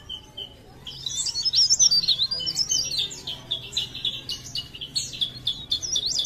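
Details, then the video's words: Leaf warbler from Parepare in full song: rapid high, thin chirps and twisting whistled notes starting after a second, tumbling about four per second in a continuous jumbled stream; faint low hum beneath. "CIKRAK DAUN | PARE PARE | BLERENG GACOR"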